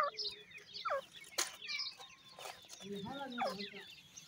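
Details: Young grey francolin chicks fighting, giving a busy mix of thin, rising and falling squeaky chirps with short sharp clicks, plus lower clucking notes near the end.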